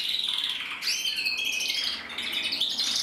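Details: Male red-mosaic isabel canary in song, 2024, bred in Germany: a dense run of high trills and bright whistled phrases that rise and fall without pause.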